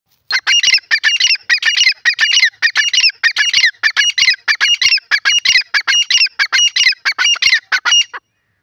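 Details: Grey francolin calling: a loud, rapid run of harsh, ringing notes, about 94 per minute, in dense repeated bursts that continue for some eight seconds before stopping abruptly.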